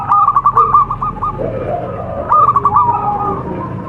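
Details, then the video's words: Local zebra dove in contest-style song, used to lure other doves into singing: two short runs of rapid clipped coos separated by a softer, lower warbling passage. "MASTERAN PERKUTUT LOKAL SPECIAL KONTES | TURTLE DOVE JAVA BIRD (COLUMBIDAE) SINGING"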